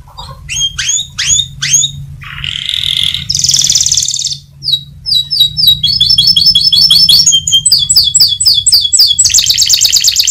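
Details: Canary song that reportedly sets other canaries answering: quick descending whistled notes, then buzzy rolls and a long rapid trill of repeated chips, about four per second, ending in a harsh buzzy burst over a low hum.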